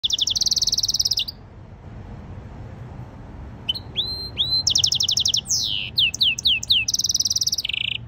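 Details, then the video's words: A European goldfinch × canary hybrid (mule) sings a fast, varied song: rapid buzzy trills, sharp rising whistles and slurred notes in quick bursts, with a short pause after the opening trill. "European goldfinch Singing x Canary - Jilguero Mulo"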